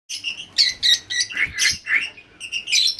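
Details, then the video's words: Lovebird calls: rapid, shrill chirps and squeaky notes in bursts, several overlapping, bright and high-pitched with brief pauses between. "love birds"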